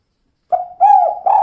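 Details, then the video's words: Brief kuk 2 cooing from a female spotted dove: a soft sliding note, then a fuller, slightly arched coo, and the start of another, all mellow and low-pitched with no background noise. "Suara Burung Tekukur Betina Kuk 2"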